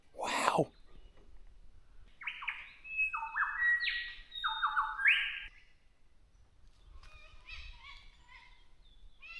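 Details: In Victoria's High Country near Mt Terrible, Australia, a lyrebird mimics cockatoos with a run of harsh, rasping screeches over about three seconds, after also mimicking kookaburras. A loud voice comes just before, and faint chirps of other birds follow.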